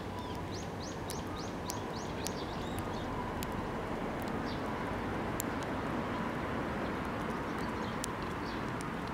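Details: Sparrow flying onto a hand to be fed at a Tenmangu shrine on 6 May 2024; a quick run of high, thin chirps fills the first three seconds, then scattered faint ticks over a steady low rumble of background noise.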